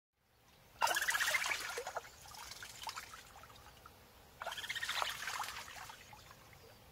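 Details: Little grebe in Córdoba giving two bursts of its high, bubbling, whinnying trill, each lasting about a second, with quiet water sounds between.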